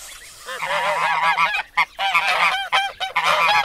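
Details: Domestic white geese honk in a loud, harsh, overlapping chorus, several birds calling at once in rapid nasal blasts with barely a pause between them.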